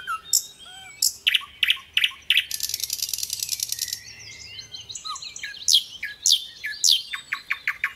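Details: Sikatan londo, the little pied flycatcher, singing gacor with rapid tembakan bursts: sharp high notes given every half second, then a long fast buzzy rattle, then more quick descending notes and clicks.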